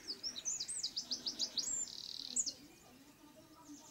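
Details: Eurasian wren: a quick string of high, sharply repeated notes, about eight in a row, running into a buzzy rattle and a final flourish, then quiet.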